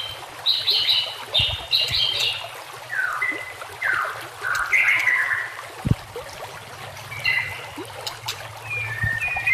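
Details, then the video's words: White-rumped shama singing for a training recording, with steady trickling water behind: opens with dense high chattering bursts, then clear descending whistled slurs and scattered sharp twittered phrases. "masteran murai batu"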